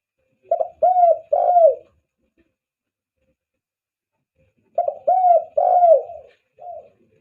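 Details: Spotted dove lure call for attracting doves: a low, mellow phrase of three to four cooing notes, the middle ones drawn out and slightly falling, repeated twice with a pause of about three seconds in between.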